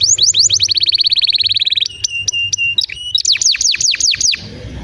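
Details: Canary song played to make young or silent canaries sing: a quick buzzing trill, steady flat whistled tones, then loud slow downward swoops.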